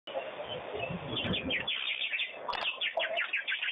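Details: Wattled starlings bathing at a pond: quick, scratchy chattering notes at a busy, uneven pace, preceded by a burst of splashing water.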